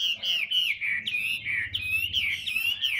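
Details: Caged Hwamei of the tam hoàng type, described as a large, handsome bird that sings a lot, giving a loud, continuous whistled warble of sliding, looping phrases, high-pitched and rich, with barely a pause.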